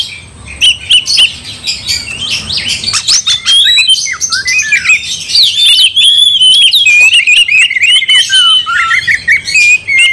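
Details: Oriental magpie-robin in aggressive singing meant to spark a fight: a long, unbroken stream of rich whistles, chatters and mimic-like trills, rising in intensity and staying loud throughout.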